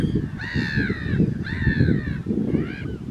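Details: Mediterranean gull, second calendar year, Vlieland, the Netherlands, 24 August 2024: three loud nasal calls, each rising then falling in a drawn-out arch, the last shorter, over a heavy low roar of wind.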